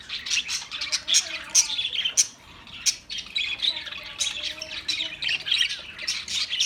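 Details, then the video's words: Australian parrots calling together, a steady stream of shrill chirps and scratchy squawks, loud peaks roughly every half second over constant twittering, with one brief near-pause midway. "Beautiful Australian parrot video Bird Chirping sounds"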